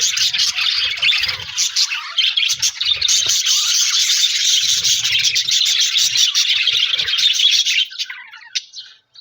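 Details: Budgerigar chirping with a new friend, dated January 4, 2026: rapid, overlapping twitters and squeaky warbles pour out continuously for about eight seconds, then fade to a few quieter notes near the end.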